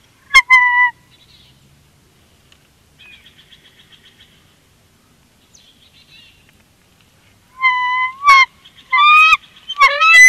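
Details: Bald eagles at their Big Bear nest during an incubation swap in February 2021; brief high squealing chirps at the start, then a quiet stretch with faint trills, and a rapid run of piping, stuttering squeals near the end.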